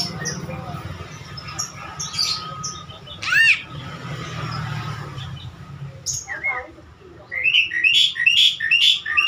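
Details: Javan myna, said to be good at talking, with scattered chirps, a loud rising rasping note, then a fast series of high bubbling whistled notes toward the end, over a low hum.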